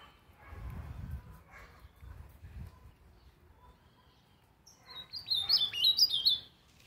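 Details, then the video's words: Ultramarine grosbeak singing. A brief, bright warbled phrase of quick high notes comes near the end, after several seconds of quiet with a low rumble in the background. "Azulão soltando uns cantos"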